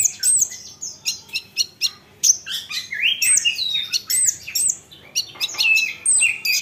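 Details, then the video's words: Song of an olive-backed sunbird meant to make rival sunbirds respond: rapid, shrill high chirps and swooping squeaky notes that rise and fall, delivered in a lively stream of short phrases with tiny gaps. "Isian Kolibri Ninja, Dengar ini konin lain pasti nyahut gacor doooorrrr"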